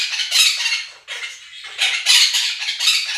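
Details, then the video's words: Two pet monk (Quaker) parakeets, played a video of budgerigar flock chatter and song, give harsh grating screeches in rapid uneven bursts several times a second, loud enough to drown out the budgies; monk parakeet. "КАК ПОПУГАИ МОНАХИ СТАЙКУ ВОЛНИСТЫХ ПОПУГАЕВ ПЕРЕКРИЧАЛИ Quaker parrots scream over flock of budgies"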